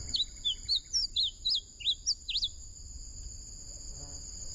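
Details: A bunting delivers a lively phrase of about eight clear, slurred whistled notes, rising and falling, spread over two and a half seconds, then quiet, with a continuous thin insect whine behind.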